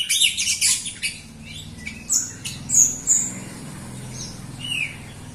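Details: Jalak Rio myna in vigorous song, meant to spark singing in sluggish Jalak Rio birds; an opening burst of harsh chatter, then a few separate thin whistles and squeaks against a low humming background.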